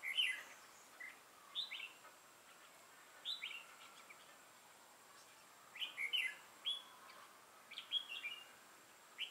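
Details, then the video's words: Decoy red-whiskered bulbul at a trapping session on 6 November 2018, lân-type crest and dark bib: separate bursts of short rising and falling chirped phrases with pauses of a few seconds between them. "Bẫy chào mào Mào lân hầu bò yếm đậm"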